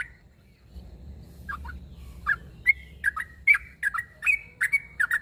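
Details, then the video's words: Sooty-headed bulbul calling to a rival: silence at first, then a few scattered chirps build into a quick run of clipped whistled notes repeated more than once a second. "Suara burung trucuk narung memangil lawan"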